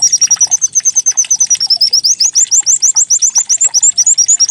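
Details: White-eye decoy song meant to trigger singing: a fast, even string of high chirps that becomes bright rising notes repeated several times each second.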